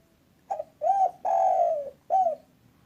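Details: Spotted dove of a local strain, calling often in the single-kuk style and kept as a trapping lure, gives a short coo, then a longer drawn, slightly falling coo, then a final brief coo, indoors.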